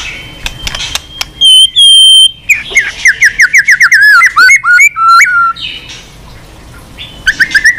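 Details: Caged white-rumped shama singing continuously after being stimulated, in a varied repertoire: long pure whistles, then rapid trilled runs of rising and falling notes, a pause, and more whistled phrases.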